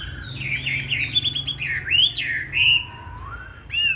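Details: Chinese hwamei, green-bean-eye type, giving fighting song for training other hwamei: dense rapid high warbling with sweeping slurs, followed by a single long low whistle that rises, then a final high note.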